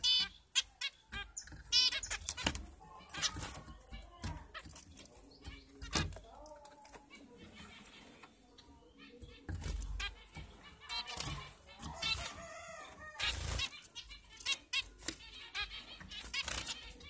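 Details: Captive zebra finches (Taeniopygia guttata) kept for breeding, giving short nasal, harmonic beeping calls in bursts, mixed with wing flutters and sharp clattering knocks from the cage.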